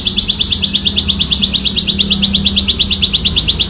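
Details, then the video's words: Ciblek sawah prinia singing in the wild in loud, clear ngebren style. Rapid high buzzy chips repeat about three times a second in an unbroken, very regular stream. "Suara Ciblek Sawah Ngebren Asli Alam – Jernih & Keras Bikin Burung Lain Ikut Bunyi"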